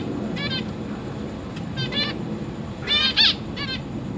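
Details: Zebra finch parents and young in a cage, with newly fledged babies hopping about, August 2023: spaced nasal honk-like beeps, then a louder double call near the end, over a soft background rumble.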